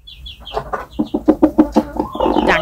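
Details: A rooster (Gallus gallus domesticus) sits in a laying nest giving its low, rumbling nest call of quick, growly pulses about seven a second, with a few thin high chirps at the start, to lure hens to lay there; this is typical of older roosters.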